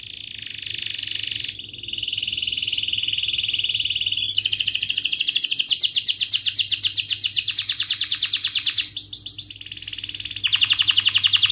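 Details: Canary song used as a lesson for young canaries learning to sing: long trills in sustained buzzy bands near the top of the range, shifting to rapid rising notes about four per second, then back to steady rolls.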